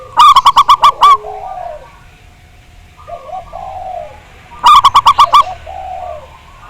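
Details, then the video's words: Zebra dove, a local Javanese bird praised for its big voice, on a lure recording meant to set others singing: two fast bursts of ringing, repeated coo notes, with softer warbling coos between them. "Pancingan Perkutut Agar Bunyi, Suara Besar Mantab"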